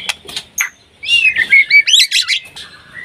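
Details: White-rumped shama in breeding condition calling a rival: a few faint chips, then a quick burst of looping whistled notes that bend up and down, over about two seconds.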